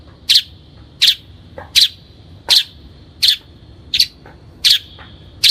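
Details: Lure recording of a long-tailed shrike, known as cendet or toet: loud harsh rasping notes repeated at a steady pace, about one every 0.7 seconds.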